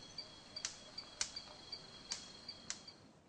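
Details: During his main display, a male Superb Bird-of-paradise (greater lophorina) makes four sharp, whip-like non-vocal snaps with his wings and tail, roughly every half second, between fainter clicks, over a thin, steady high whine.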